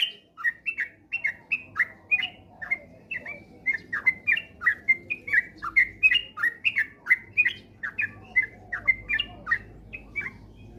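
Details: Sooty-headed bulbul, ropel lure recording: continuous lively stream of quick chirped and slurred notes, evenly paced for the whole stretch, over a faint low drone.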